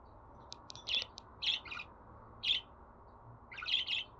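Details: Budgerigar sounds played to pet birds to help them sing: faint ticks, then soft, buzzy chirps, ending in a quick double chirp, over a low background hiss.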